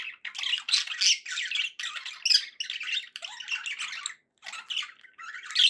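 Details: Budgerigars chattering in a steady, busy warble of scratchy chirps and squawky notes, with short gaps between bursts and one clear silence before the end.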